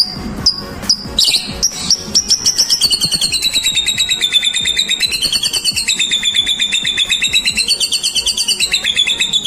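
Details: White-rumped shama song used to provoke other birds into singing: a few sharp high notes open, then a long rapid trill of even, buzzy notes wavering around a high pitch, repeated many times per second without pause.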